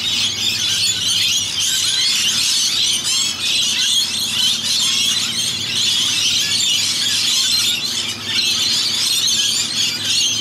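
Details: About 100 rainbow lorikeets in Australia, coming and going to bathe in a rain gutter, keep up an unbroken, shrill screeching and chattering, many harsh high calls overlapping with no pause.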